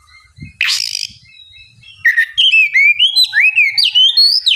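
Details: Oriental magpie-robin in 'ngeplong' song, used to coax a bird that is slow to sing into answering: a raspy burst, then a quick run of loud whistled notes sliding up and down, roughly two or three per second.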